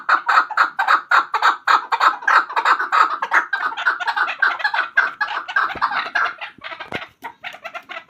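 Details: Chukar partridge known as a hunter chakor, delivering loud, regular chuk notes at roughly two per second that grow busier and more overlapping toward the end.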